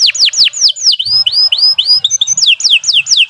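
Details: Canary in full continuous song for training, delivering a steady series of clear descending whistled slurs about five per second, shifting midway to rising upslurred notes before returning to falling sweeps.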